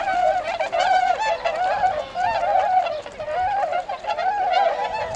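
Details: Tundra swans at Gotenda floodwater pond, Azumino, Nagano, Japan, in February 2013, flying out to rice fields to feed; mellow, wavering honks from several birds in close succession, each a soft hooting note, in a clean background.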